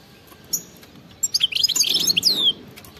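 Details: European goldfinch giving khalwi-style wild song with batbata; after a soft start, a quick run of bright twittering and buzzy notes ending in a long descending whistled slur.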